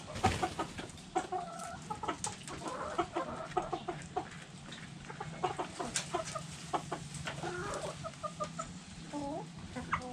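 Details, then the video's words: Backyard hens clucking in a flock: dense, irregular run of short sharp clucks with occasional longer nasal harmonic calls, overlapping birds throughout, steady low hum underneath. "Hens Clucking Roosters Crowing"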